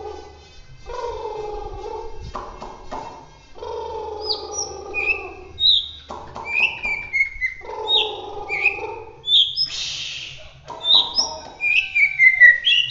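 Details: White-rumped shama (murai batu) of the Bahorok type from Medan, singing a gacor roll tembak song: bright whistled notes sliding down in short phrases, mixed with low, stacked harsh buzzing passages and a brief noisy burst.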